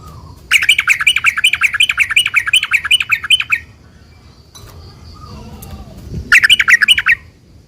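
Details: Sooty-headed bulbul song meant to draw replies from other bulbuls: a three-second burst of rapid, buzzy chattering notes, a quiet gap with faint low noise, then a shorter similar burst.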